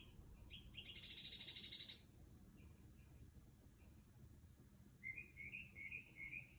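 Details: Bird singing outside a house around 2 am at night, shifting through many different sounds: a long buzzy rattling phrase, a few soft notes, then a run of rising whistled chirps, with constant low hum behind.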